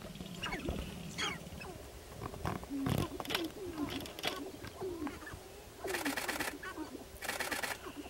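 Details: Several Sharp-tailed Grouse on a lek in northern Wisconsin on 29 April 2021 give a jumble of short clucks, coos and swooping whoops. Two dry, buzzy rattles about a second long cut in near the end.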